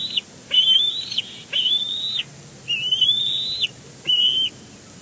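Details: Bald eagle calling at its Big Bear Lake nest on 12 May while placing fluff: long, high, thin whistled phrases, slightly rising then falling, about five in five seconds, over constant hiss.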